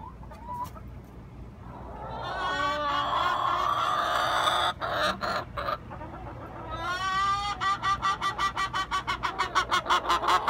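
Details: Hen in a nesting box, noisy and not to be disturbed: long, harsh, drawn-out squawks over about five seconds, breaking into a fast run of clipped, evenly spaced clucks, nearly three a second, growing louder toward the end.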